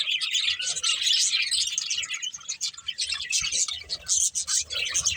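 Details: Breeding pair of colourful budgerigars chirping: dense, continuous high twittering and chattering notes with scratchy buzzes, overlapping without pause, with faint low thumps beneath.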